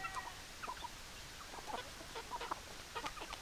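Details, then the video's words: Chickens clucking: a steady run of short, clipped clucks, some rising and falling, scattered across a few seconds over a faint background hiss; no crowing is heard. "Chicken Sounds Noises Hens Clucking Roosters Crowing"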